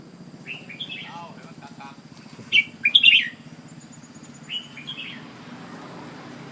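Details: Red-whiskered bulbul giving brief phrases of clear whistled notes, one soft phrase early, then a louder rapid cluster of bright chirping syllables and a final short whistled pair, over a constant low background hum.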